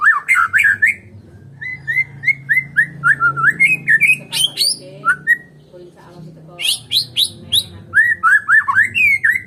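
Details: White-rumped shama of the Medan type singing alone: loud, varied song of rapid whistled phrases, many short rising-falling notes strung quickly, mixed with bursts of harsh, scratchy high notes and a soft low hum behind.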